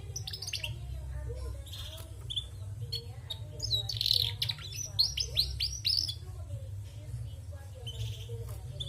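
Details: Lively song of a female canary: scattered high chirps that build into a loud burst of rapid, descending, repeated notes midway, then ease back to sparse twitters. A low hum persists throughout.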